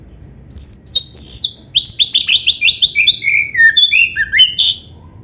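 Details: Oriental magpie-robin, black-breasted form, singing a tutor recording for caged birds: an opening whistle, then a fast string of bright downslurred notes stepping lower, ending in a high sharp flourish.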